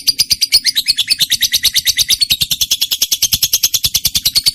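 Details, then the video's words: Fast, shrill chattering song of a trained lovebird, rapid high chirps run together into an unbroken buzzy stream, repeated several times per second throughout. "lovebird mp3 cocok buat pancingan burung kesayangan sambil ngopi"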